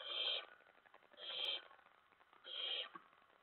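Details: Owlets at a nest during a night feeding, 10 September 2017, just before 2:04 AM; three steady hissing screeches, each about 0.4 seconds, repeating every 1.2 seconds over a constant background hiss.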